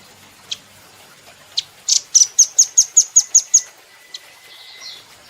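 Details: Velvet-fronted nuthatch kept as a cage bird, recorded for training: a few spaced single chips open into a rapid string of about nine high, bright notes, then a thin faint whistle trails off.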